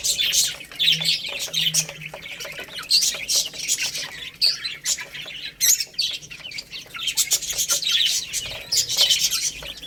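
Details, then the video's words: Feeding baby chicks peep continuously over rice, a lively shrill chorus of short tweets with faint tapping sounds throughout. "Beautiful Chicks Chirping Sounds"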